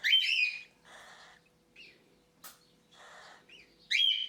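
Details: A cockatiel chick, hand-fed by syringe for the first time a couple of hours after removal from the nest box, gives two loud, harsh, rasping squawks about four seconds apart, with softer buzzy wheezing between and a faint hum.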